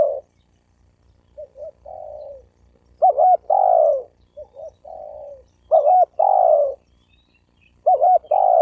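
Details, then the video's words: Cooing spotted dove, played to provoke males and females to fight. Soft two-note coos alternate with loud phrases: a wavering double note, then a long falling coo. The louder phrase comes roughly every two and a half seconds. "Tiếng chim cu gáy kích bổi kích trống mái gáy gù đánh nhau"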